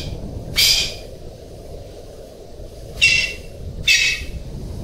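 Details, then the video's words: Golden pheasant giving loud, short, rasping calls: a single burst, a long pause, then two more in close succession. A low continuous hum lies beneath. "Golden Pheasant Calling Sound"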